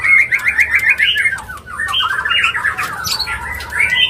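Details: Mating call of a White-rumped shama, used to bring a bird into breeding condition: a run of harsh, scratchy chattering notes, a brief pause, then more rapid warbled chatter ending in a thin whistle.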